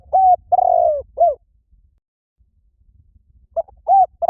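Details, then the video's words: Spotted dove giving its luring call: a long wavering coo and a falling final note ending one phrase, then quiet, then the brief opening notes of the next phrase. "Tiếng Chim Cu Gáy Gọi Hay Vang Xa . kích mồi cực hay"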